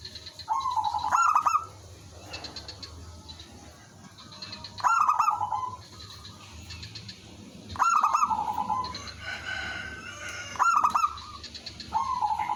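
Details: Local zebra dove singing as a decoy while other doves reply: four loud phrases roughly every three seconds, staccato notes melting into a purring coo, with softer distant trills in the gaps.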